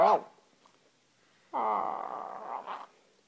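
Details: Pet rainbow lorikeet indoors at night, wrestling and playing: a short loud squawk, then after a pause a long raspy, nasal, buzzy call lasting over a second with a brief rough flourish at the end.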